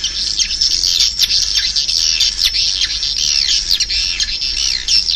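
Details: High, squeaky twittering of swiftlets, with many short chirps and down-slurred squeals packed closely together in a loud, continuous flock chatter.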